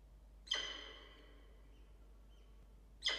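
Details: Peregrine falcon at a nest box gives a harsh, scratchy call with a ringing edge that fades over about half a second, then starts a second call about two and a half seconds later.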